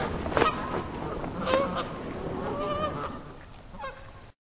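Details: Geese in a flock honking through cold wind beside a flapping flag: scattered nasal honks and calls over a constant windy hiss, fading toward the end.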